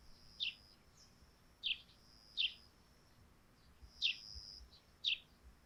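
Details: Sparrows calling in the morning on a dewy thatched roof: five short, bright chirps at irregular intervals over a quiet background with a faint steady high tone.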